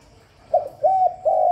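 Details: Spotted dove cooing for luring doves: a brief soft note, then two steady, level, mellow coos in quick succession, the last cut short.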